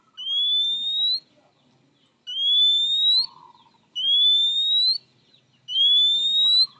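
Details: Oriental magpie-robin's characteristic rival-calling whistle, said to bring fast responses from both sexes: four steady, slightly upslurred pure whistles about a second long, evenly spaced, over faint low background murmur.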